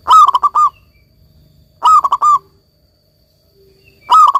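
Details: An actively singing local zebra dove repeats its ringing coo phrase three times, about every two seconds. Each phrase opens with a stressed note and is followed by a quick stutter of shorter notes.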